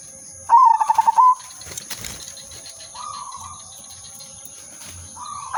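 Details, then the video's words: Zebra dove of the silver udanmas type, singing a melodious lure song for trapping. An abrupt loud phrase of fast, beaded coos lasting under a second is followed by fainter, softer coo phrases later. "burung perkutut/merbok silver udanmas gacor manggung irama merdu pancingan dan pikat"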